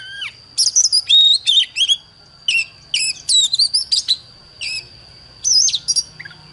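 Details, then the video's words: Oriental magpie-robin singing against a wild bird in clusters of quick whistled and chattering notes, each cluster about a second long and separated by pauses, over a steady high whine. "Chòe than Đấu với chim THIÊN NHIÊN 100% ĐẠT LỬA"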